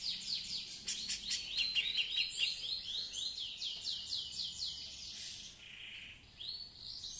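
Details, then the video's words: A female Grey-cheeked Bulbul that has laid eggs before sings actively: a fast, busy stream of bright chirps and short rising and falling whistles, about two notes a second, with a faint low hum behind. "Cucak Jenggot cewe / betina gacor"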